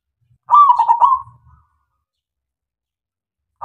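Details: Lure song of a local zebra dove meant to make silent doves answer: one mellow coo phrase with a long first note and quick tremulous beats, then a few quiet low knocks and silence, with the next phrase just beginning at the end.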